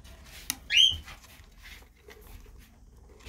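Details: Parakeets in a group: a single loud, rising, harmonic screech sweeps upward sharply, followed by faint clicks and quiet background rustling indoors.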